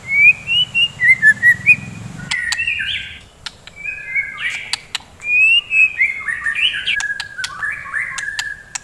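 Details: Lively white-rumped shama song in the morning, aimed at stirring fighting birds: a string of six quick bright whistles opens, followed by sliding, buzzy phrases and scattered clicks.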